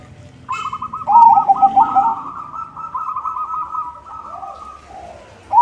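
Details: White zebra dove song meant to attract other zebra doves: a quick pulsed trill overlapping a louder bubbling coo, then a long even trill fading out, with faint background hum.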